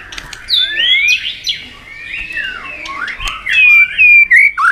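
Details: White-rumped shama provoked into fighting song, a loud continuous flow of sweeping slurred whistles rising and falling, ending in clear ringing whistled notes.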